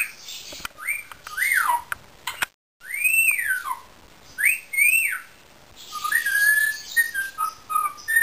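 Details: A pet Indian ringneck parakeet whistles a series of arched notes that climb and fall, repeated with short gaps, then finishes with flatter, stepped whistles at lower pitch.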